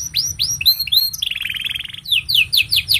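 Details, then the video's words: Canary, a long song for tutoring young birds: rising whistled slurs, then a dense buzzy rattle lasting about a second, closing with four or five sharp descending chirps. "Kenari Gacor Panjang Ini Bagus Untuk Masteran Kenari Paud Dan Pancingan Kenari Bisu"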